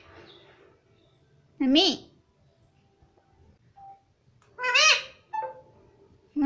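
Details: Talking parrot kept as a pet, repeating "mummy" and "papa": two loud, bright, harmonic bursts with a sweeping rise and fall, separated by quiet room sound and a short squeak.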